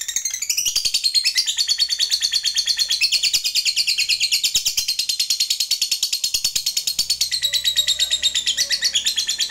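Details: Lovebird giving its prized long ngekek, a drawn-out fighter chatter used in calling a rival: an unbroken, fast machine-gun rattle of high buzzy notes, about three per second, sustained throughout.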